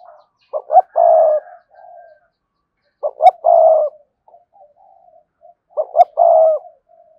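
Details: Cườm sa spotted dove, its coo meant to spur males into cooing fast: three phrases, each two clipped low notes and a drawn-out hollow coo, spaced about two and a half seconds apart, quieter cooing between.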